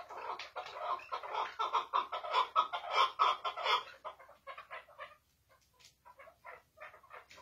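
Chukar partridge giving a rapid run of harsh, clucking chuk notes that swell into a loud chattering burst, then trail off into scattered softer clucks.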